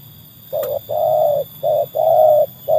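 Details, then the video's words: Trained spotted dove (tekukur) tested against wild birds: a series of low mellow cooing notes, one short then several longer held coos with brief pauses, over a faint steady background hum. "kualitas burung tekukur ajaran sudah teruji oleh burung liar"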